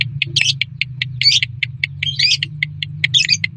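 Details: Lovebird calls used as a lure to make lovebirds respond: short shrill chips repeated about once a second, broken by harsher squeaky bursts, over a constant low droning hum.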